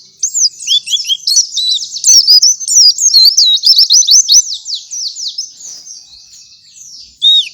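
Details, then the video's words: Energetic morning singing from a white-eye, a master song for teaching other white-eyes: a long, tumbling run of high, twittering, slurred whistles, easing off near the end before one last note. "Gacoran suara pleci di pagi hari sangat cocok buat masteran pleci lain"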